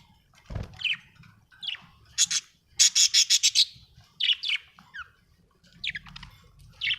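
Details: A happy budgie chatters with downward-sweeping chirps, then a fast run of six or seven bright staccato notes, followed by more scattered rising and falling warbles and a low thump near the start.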